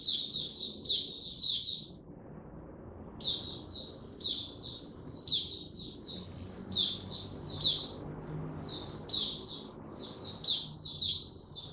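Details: Mata puteh, or white-eye, gaining confidence before opening up: quick high twittering runs broken by a two-second gap, then dense chattering phrases with bright upward spikes, over a faint low hum.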